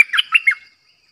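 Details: Streak-eared bulbul decoy bird, 06/05/2022, gives a fast trio of scratchy, slurred chirps lasting under a second, then silence.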